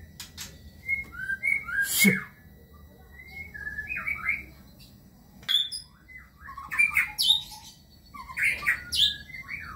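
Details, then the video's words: Kebyok white-rumped shama, long-tailed type, giving bursts of squeaky, chattering high notes and short slurred whistles separated by brief pauses, with loud sharp clicks. "Murai batu (Kebyok)"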